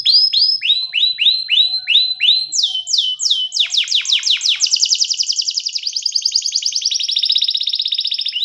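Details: Canary singing a varied phrase: repeated downward-swooping notes at a steady pace, then higher swoops, then a fast rattling trill that speeds up and holds for several seconds.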